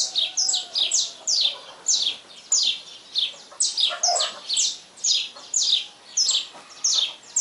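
A saffron finch sings at dawn, a quick run of bright, high chipping notes given in short repeated bursts, about a dozen within seven seconds.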